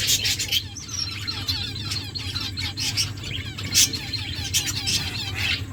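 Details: Several finches kept in an aviary chirp and twitter: short high notes and quick downslurred chirps come in bursts, with a constant low hum in the background.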